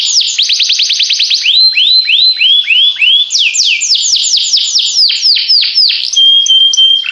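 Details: Canary song of fast repeated notes, then a series of slurred arching whistles. A burst of steep downward sweeps follows, and the phrase ends on a thin, sustained whistled tone.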